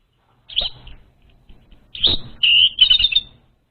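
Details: Orange-headed thrush song meant to lure an untrained bird: scattered high notes, then a sustained bright whistle and a trill-like cluster of quick notes, with some rustling noise underneath.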